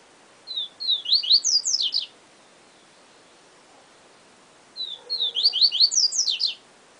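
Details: Two repeated phrases of yellow-bellied seedeater song in the Siu Siu Professor style, each a quick run of high, sharply slurred notes about one and a half seconds long, separated by a three-second pause.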